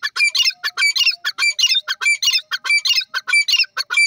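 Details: Female francolin (teetar) calling: a fast, steady series of harsh, squawky notes, repeated about one and a half times per second throughout, loud and clear against a silent background.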